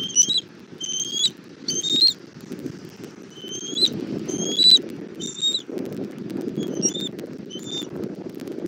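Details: At a Southwest Florida nest, 17:30 on 1 April 2024, a bald eagle brings dinner to its chick: series of sharp, high squealing chirps, several per second in groups, with rustling and wind-like rumble.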